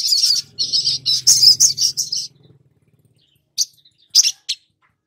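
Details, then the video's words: Long-billed spiderhunter lure recording meant to make newly caught birds sing quickly. A fast run of harsh, buzzy chattering notes lasts about two seconds, then a pause, then several sharp, isolated high chips. A faint low hum sits underneath. "Pancingan SOGON BAKALAN agar Cepat BUNYI dan GACOR || Pancingan Sogok Ontong agar NGOBRA"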